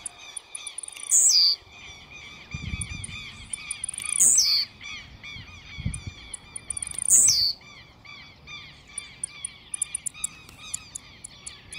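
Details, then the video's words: An aggressively singing blue-black grassquit repeats a shrill, falling buzz three times, about three seconds apart, above a dense chorus of other birds chirping. "TIZIU MUITO AGRESSIVO CANTANDO!!!"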